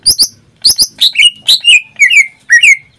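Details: Caged greater green leafbird singing vigorously: high, thin double chips leading into a tumbling run of bright, warbled whistles that slide downward, in a quick, chattering rhythm.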